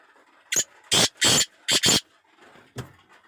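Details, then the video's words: Black francolin (kala teetar) gives a harsh rasping sequence of five notes: short, long, long, then two quick grating notes. A faint click follows. "Pure laka kala teetar ki awaz"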